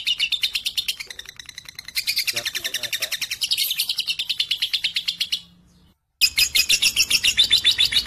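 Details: Young lovebird, 3.5 months old, bold enough to sing against adult birds and fit for tutoring others, keeps up a rapid, shrill chattering trill that stops briefly near the end, then resumes just as fast.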